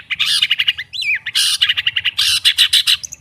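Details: ['Long-tailed shrike singing in a recording used to stimulate a silent shrike: loud bursts of rapid, harsh high chatter broken by a wavering whistled phrase near the start.']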